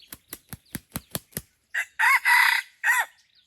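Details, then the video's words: Junglefowl crowing during a luring hunt at Pasir Putih, Krueng Raya. Seven sharp wing-claps come in quick succession. A loud, hoarse crow of four parts follows, with a long harsh middle and a short closing syllable. "Mikat ayam hutan di Pasir Putih Krueng Raya"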